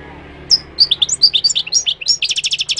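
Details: Moroccan goldfinch song: quick high twittering notes and slurred whistles, speeding into a rapid run of repeated bright trilled notes near the end, over a quiet low hum.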